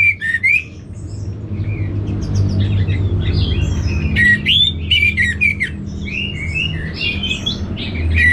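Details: Orange-headed thrush (anis merah) from North Bali, heard in a busy medley of squeaky, harsh and whistled notes in quick uneven succession. A noticeable low-frequency hum accompanies the singing.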